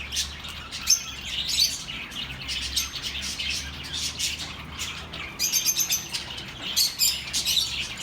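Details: Birds chatter continuously to calm lonely pet birds, with dense high twitters, quick squeaky notes and a livelier burst of rapid chirps near the end.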